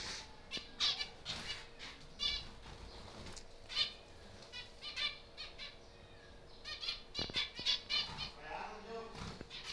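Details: Captive zebra finch colony in a breeding aviary: a busy chorus of short, nasal, beeping calls from many birds, coming in quick clusters, with fluttering wings, a few clicks and a constant low hum.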